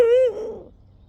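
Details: Eurasian eagle-owl at a rescue centre before sunset, likely the mother holding food and presumed calling her independent two-year-old offspring: one short, clear, mellow hoot that swells slightly then drops, with a soft echo trailing off.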